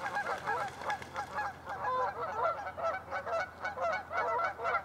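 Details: Canada geese at Lacamas Lake in Washington State, USA, morning of February 27, 2012: continuous chorus of many overlapping honks from a flock, steady throughout.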